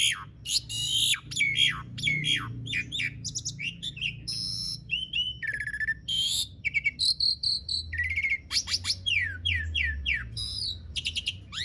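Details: Asian pied starling in full, long rolling song, played to prompt silent starlings to sing; rapid varied chatter of clicks, whistled slurs and sweeping notes, densely packed, with a faint low hum underneath.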